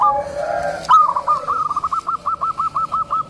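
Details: Tame zebra dove with a soft voice, whose call attracts other zebra doves and suits new birds; a sharp opening note followed by a steady string of rhythmic rolling coos.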